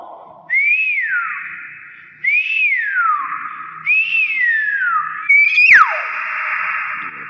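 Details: Nias hill myna repeating a pure whistle three times, each rising quickly then gliding down in a long arc, about every one and a half seconds, ending with a sharper, higher swooping note.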